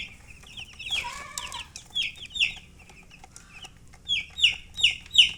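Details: Chicks chirping: high downslurred peeps in clusters, a lower rougher call near one second, and a loud run of evenly spaced piercing peeps at the end.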